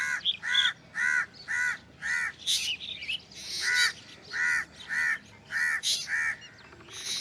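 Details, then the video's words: Black drongo with a strange call, a steady run of harsh, nasal arched notes around two kilohertz, roughly two per second, interspersed with high squeaky and buzzy bursts. "Black drongo Strange Call / Sound"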